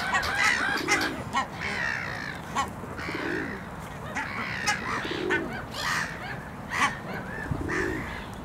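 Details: Great black-backed gull while eating: rough, nasal calls mixed with lower gruff bursts, irregularly spaced over about eight seconds, set against constant rushing background noise and scattered clicks.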